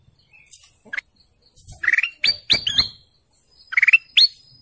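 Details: Golden canary giving scattered bright chirps: a rising whistle, then short rapid trills and upslurred notes in loose clusters, pauses between, a faint low rustle underneath.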